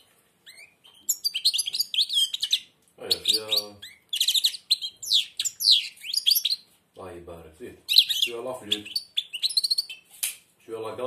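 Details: European goldfinch, blind and singing through a barely open beak, gives lively, high twittering phrases, interrupted now and then by a man's coaxing voice.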